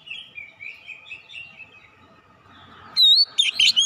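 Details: Oriental magpie-robin (kacer) lure song: a soft run of warbled notes, then loud clear whistled phrases with sharp upward and downward sweeps near the end.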